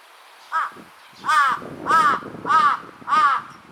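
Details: Large-billed crow, one of a pair, in apparently threatening calls: a short soft note, then four hoarse, arching caws spaced about every half-second.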